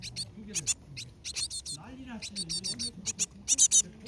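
Asian tit nestlings give a rapid chorus of thin, high, buzzy chips in quick bursts, with a person's soft low voice murmuring beneath.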